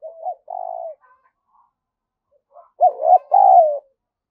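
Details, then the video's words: Spotted dove calling as a decoy to stimulate other doves; a short coo and a steady mid-pitched coo, a pause, then a loud phrase of a bent rising note and a long gently falling coo. "chim cu gáy mồi gáy thúc và gù"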